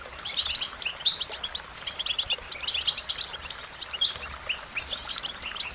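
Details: American goldfinch delivering a varied warbling song, thin chirps and rolling twitters in uneven phrases, a few clear whistled notes standing out, growing brighter in the last second.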